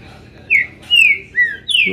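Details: Caged green-winged saltator just moved out of its flight cage, giving a short burst of three strong descending whistled notes and the start of a fourth, ringing and clear.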